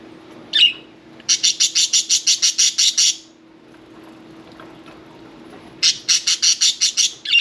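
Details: Pet budgerigar at bath time giving a fast train of about a dozen harsh, buzzy chirps, evenly spaced, then a pause and a second run of rapid chirps, with a short squeak before each burst; quiet room hum underneath.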